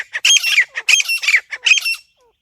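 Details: Loud, grating teetar (grey francolin) call meant as a hunting lure: three rough, ringing bursts of clustered squawks in about two seconds, then silence.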